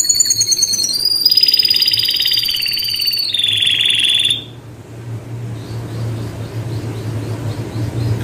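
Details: Canary song: high, bright rolled trills with a piercing whistled tone, changing into a faster buzzy roll and ending abruptly about halfway through. A faint, quick, regular chipping and low background hum follow.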